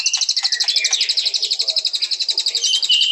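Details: A white-rumped shama delivers a steady, very fast, high chattering trill with regular pulses throughout, ending on a brief lower whistled note.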